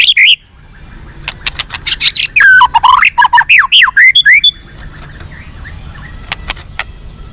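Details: Song of a white-rumped shama, used to rouse captive birds: an outburst of fast swooping whistles, buzzy warbles and trills lasting a few seconds, then quieter sharp clicks.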